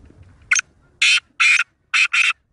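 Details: Black francolin from Sindh, Pakistan (kala teetar), giving a loud harsh call: a short sharp opening note, a pause, then four grating, buzzy notes, the final two run close together, all within about two seconds.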